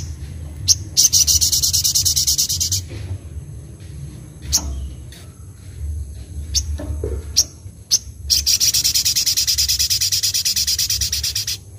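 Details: Sogok ontong (sogon) singing in a lively, energetic style with mimicked phrases; two long, rapid, very high buzzy trills framing scattered sharp clicks and short chips, over a low steady hum.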